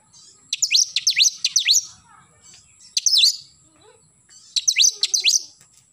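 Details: Oriental magpie-robin singing in the morning: three bursts of loud, sharp downslurred whistles repeated in quick rapid series, with short quiet gaps and faint low chatter in between.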